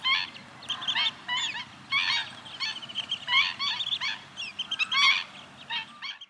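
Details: Stilts in a noisy group chorus, many short, bright, clipped notes and curving slurs piling over one another in rapid bursts, fading out at the end over a soft low rumble.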